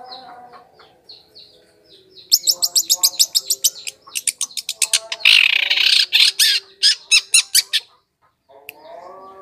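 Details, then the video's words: Long-tailed shrike lure sound for wild birds: soft notes, then a dense, fast chatter of harsh rattling notes and a noisy grating burst. After a brief silence, quieter notes and a low hum return. "PIKAT CENDET PENTET SUARA PANCINGAN"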